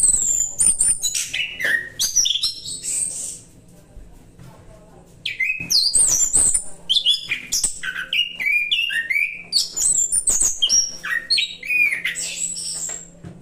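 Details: Orange-headed thrush (anis kembang) in relaxed 'roll santai' song: rapid tumbling runs of bright whistles, chirps and downslurred notes, a two-second pause, then a denser, longer stream of varied high phrases over a faint low hum.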